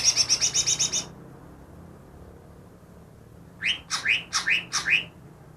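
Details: Captive greater green leafbird caught two days before, reputed to imitate ten species, rattles off eight rapid high notes, goes silent for over two seconds, then sings four slurred notes dropping from very high to lower pitch.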